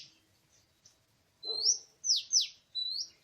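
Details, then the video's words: Oriental magpie-robin singing in the wild forest during bird trapping, 24 March 2017: after quiet faint notes, a burst of bright rising whistles and two sharp downward-swept notes, then a final upslurred whistle. "Oriental Magpie-Robin:Chirping In The Exciting Wild"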